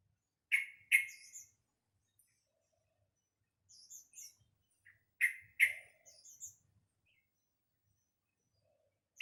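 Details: Caged young sooty-headed bulbul learning to sing, once silent and afraid of people at two months old. Paired harsh chirps repeat twice, separated by soft, high, jumbled twittering phrases.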